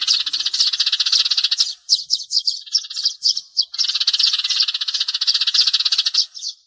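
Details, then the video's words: Sparrow calls meant to lure birds to glue traps: a long stream of quick chirps, loosening into separate tweets in the middle, then dense chatter again. "Tiếng chim sẻ chuẩn cho bẫy keo"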